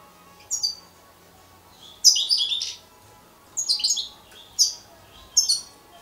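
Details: Young European goldfinch giving short clusters of high, tinkling chirps, five separate bursts spaced about a second apart, some with two or three quick notes each, against a low background hum.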